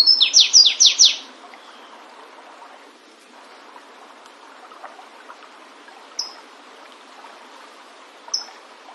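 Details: Flavescent warbler (canário-do-mato) in the wild: the song opens with four loud rapid downward-sweeping high notes, then falls quiet except for two lone short high chips several seconds apart.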